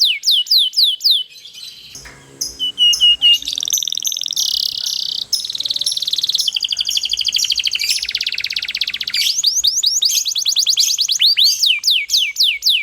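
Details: Atlantic canary singing a long rolling song meant to draw other canaries into singing; rapid repeated downslurred notes give way to dense buzzy trills and rolling phrases, then quick sweeping notes again.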